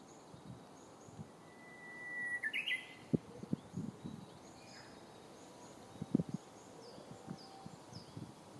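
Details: Unseen Japanese bush warbler in Senshu Park, Akita City, 7 May 2017, gives a held whistle and then a sharp rising flourish. Faint chirps from other birds and several low knocks and thuds follow.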